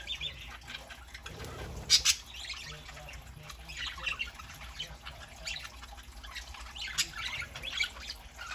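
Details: Indoor pet budgerigar flock foraging on a Saturday morning; quiet, scattered twittering and scratchy chirps throughout, a sharp click near two seconds, and a low thump at one second beneath a constant background hum.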